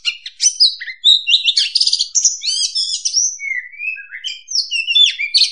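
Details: Oriental magpie-robin song used as a lure for trapping: varied rich phrases of whistles, slurred rising and falling notes and buzzy trills, delivered continuously with short pauses, clear and without other sounds.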